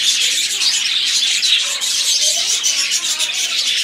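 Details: Budgerigars warbling together in a thick, unbroken chatter of high chirps and scratchy trills, with a few lower soft notes underneath.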